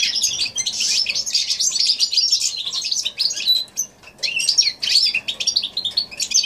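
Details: Goldfinch x canary hybrid song from January 2016, a fast continuous stream of high chattering twitters and trills, with a short break near the fourth second before the warbling resumes.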